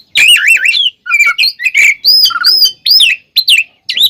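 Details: Oriental magpie-robin delivering a loud, varied fighting song used as a lure to make rival birds agitated: rolling warbled whistles, swooping slurred notes and harsh chatters run together almost without break.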